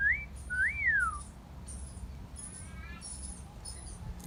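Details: Pet parrot in a garden giving a wolf whistle: a short rising whistle, then a longer whistle that rises and falls. Faint high thin tones sound in the background afterwards.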